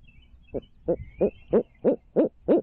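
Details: Barred owl visiting its nest in Midtown Tulsa, filmed by a stream cam in 2019. Seven short, low hoots come about every third of a second and grow slightly louder. A faint high whine sounds early on.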